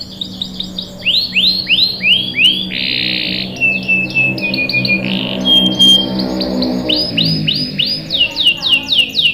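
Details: Chattering canary singing, played to coax juvenile canaries into song: series of repeated swept notes, a buzzy burst, sustained level whistles, then more rapid falling chirps, with a faint low hum underneath.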